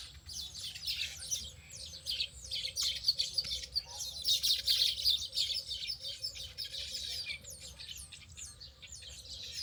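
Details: Many birds chirping and twittering together in a natural setting, a dense overlapping chorus of high notes over a low background hum.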